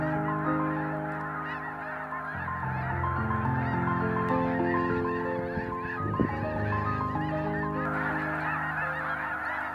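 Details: Snow geese gathering at Freezout Lake Wildlife Management Area, a glacial-basin wetland in Montana, during spring migration: a dense chorus of short, overlapping high honks runs throughout, with sustained music tones beneath.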